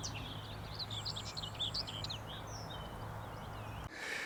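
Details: A Common Whitethroat, also seen in a brief display flight, gives one fast, scratchy warbled phrase, raucous and jumbled, over a steady low hum, ending in a gust of wind noise.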